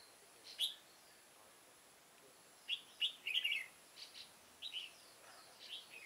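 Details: Old decoy red-whiskered bulbul singing to lure wild birds into a trap, 9 September 2017: a lone sharp note, a pause, then a run of bright chirped and warbled phrases with soft background hiss.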